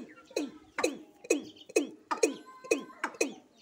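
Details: Watercock, known locally as kura or kora, in Sylhet, giving hollow, descending gulping notes in a steady series, about two per second, with faint tonal background sounds.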